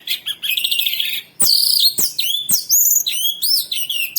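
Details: Orange-headed thrush singing a varied phrase: a rapid trill, then loud whistled notes sweeping down and rising, interspersed with sharp clicks and higher mimic-like slurs.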